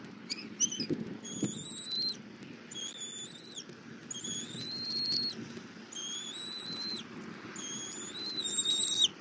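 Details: Bald eagle mother feeding her eaglet armadillo at a Southwest Florida nest, camera recording, February morning. Repeated drawn-out high whistles, about one every second or two, some ending in a slight upward slur, above soft scraping.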